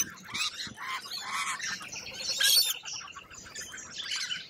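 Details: Lorikeets in Australia giving bursts of harsh, shrill chattering calls that swell and fade in waves, the loudest rasping burst coming about halfway through.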